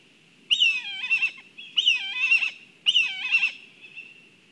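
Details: At a nest in Kurzeme, Latvia, black kites call during a food delivery, filmed by a live camera: three tremulous, high whistled whinnies about a second apart, each starting sharply and wavering as it fades, over a faint low background hum.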